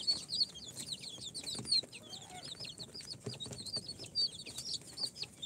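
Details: Four-day-old chicks from an incubator, mixed Sultan, Golden Sebright, Cochin and booted breeds, keep up a lively chorus of thin, high, hooked peeps, overlapping without pause, some standing out louder.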